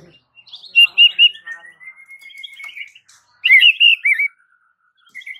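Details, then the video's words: White-rumped shama singing with clear whistled notes, a long steady rising whistle, then a loud burst of rich warbled notes. The sound is said to make the village's shamas respond in full song. "Suara uniknya jadikan MURAI BATU sekampung NYAUT GACOR"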